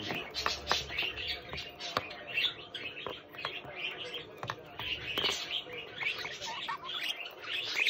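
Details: Pet budgerigar chick chattering steadily in scratchy, twittering bursts broken by sharp clicks, the high warble running through the whole stretch.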